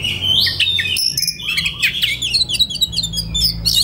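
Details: White-rumped shama in relaxed song for training young birds, delivering a dense stream of fast warbled notes, clear whistles and crisp chattering twitters, with a soft low droning hum in the background.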